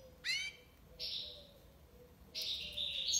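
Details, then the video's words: European goldfinch (maqnin) singing in the tiwawati libasad style: a sharp descending chirp, then two bursts of dense, buzzy, twittering notes separated by a brief pause. "مقنين(حسون) تيواواطي ليباساد"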